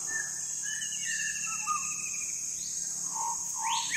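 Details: Andaman shama in South Andaman: clear whistled notes and slurred phrases, several gliding upward or downward, sung in short bursts over a constant high-pitched insect drone.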